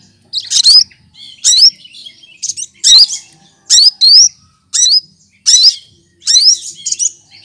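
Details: Green leafbird known as cucak kinoy, skilled at copying other birds and kept as a song tutor, repeating short bright phrases of upslurred whistles and chips about every second, steady and loud.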